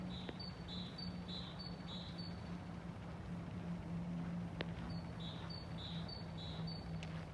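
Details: Great tit singing in a town square in Sundsvall in February 2024: two short bursts of four quick, bright two-note 'tea-cher' phrases, separated by a pause, over a constant low traffic drone.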